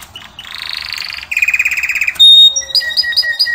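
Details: Male singing canary: a buzzy trill near the top of its range, then a faster rattling roll at lower pitch, followed by a loud pure whistled note and short repeated chirps.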